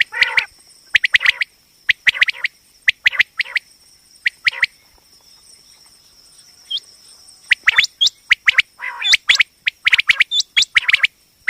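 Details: Common quail call used as a hunting and trapping lure sound (tags mention a female quail voice): short clipped notes, paired or in small bursts with pauses, growing quicker toward the end, over a steady high electronic-sounding whine.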